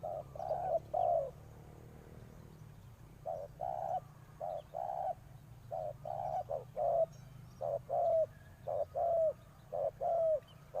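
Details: Spotted dove used as a decoy, cooing to draw in wild birds. Mellow two-part coos come in quick runs after a short pause, later notes sliding slightly downward, with faint low rumble beneath.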